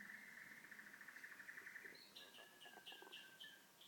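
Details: Caged canary singing indoors while its owners watch television: a fast, even trill held for about two seconds, then a run of short chirped and whistled notes at shifting pitches, all fairly quiet against a low room hum.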